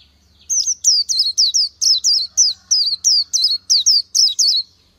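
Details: Oriental white-eye living in nature sings one unbroken run of about twelve high, thin, downslurred whistles at an even quick pace, in a quiet setting.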